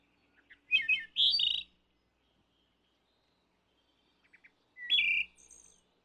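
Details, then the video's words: Wood thrush singing two phrases about four seconds apart. Each opens with soft low notes, then a loud, fluted, rolling phrase ends in a higher buzzy trill. Between phrases the background is quiet. "Wood Thrush Serenade"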